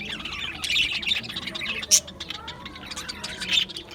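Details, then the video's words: Budgies in an aviary colony, 11 July 2025, give high scratchy chatter with a few sharp loud squawks standing out, one near the middle and another toward the end. "Budgies Chirping sounds"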